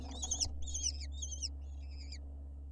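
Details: Lesser kestrel nestlings on a nest cam in Israel, as the male brings an insect, give four harsh, wavering chittering bursts of about half a second each, fading slightly, over a steady low hum.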